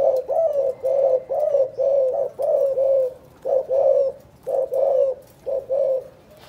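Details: Spotted dove from Can Tho, Vietnam, in 'chụp chụp ô' calling: steady, evenly spaced low coos, mostly in pairs, repeated about once per second throughout with little background noise.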